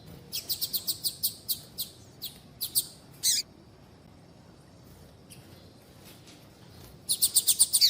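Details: Calls of a female double-collared seedeater, played to excite males: a run of about ten thin, sharp chirps spaced evenly, a silent gap, then another quick, louder series of high chirps.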